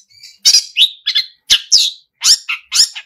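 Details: Harsh, squawking notes and short chattering phrases from a Long-tailed shrike singing a song full of mimicked sounds, in loud, energetic gacor form.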